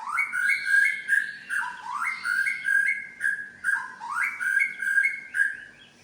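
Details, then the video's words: Medan white-rumped shama showing its imitated repertoire: loud, looping whistled phrases, each rising steeply then stepping across two held pitches, repeated quickly and evenly throughout. "BURUNG MURAI BATU MEDAN BONGKAR ISIAN"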